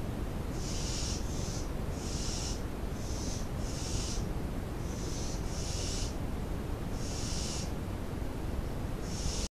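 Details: At night, shortly before 1 a.m. on 9 July 2018, a barn owl gives a series of about nine short, breathy hissing bursts at irregular intervals, heard through constant loud low-pitched background noise.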